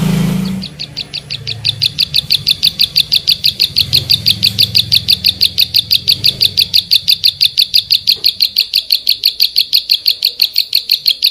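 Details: A Bar-winged prinia delivers a long, very regular string of high, clipped chip notes, about three to four per second, steady for over ten seconds after a brief low noise at the start; recorded as tutoring material for songbirds.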